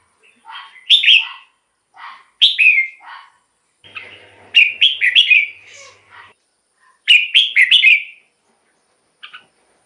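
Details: Red-whiskered bulbul singing as a decoy or to rouse caged birds: several short loud warbled phrases of two to four bright notes, spaced a second or two apart, with faint low hum.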